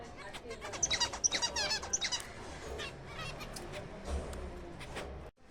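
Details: Zebra finches in a captive breeding colony in April, with short bursts of high, buzzy, nasal chirps and trills concentrated in the first two seconds, followed by softer scattered chatter over low background noise.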